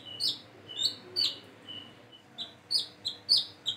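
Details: Plain-throated sunbird learning to call gives high chipping and short whistled notes, sometimes falling and sometimes flat, irregularly spaced, set against a noticeably noisy background.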